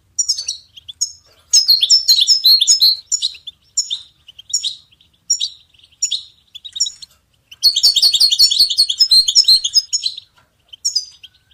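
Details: European goldfinch song to inspire and train songbirds: a series of short chirping phrases repeated about every second, broken by two longer rapid twittering runs with buzzy trills.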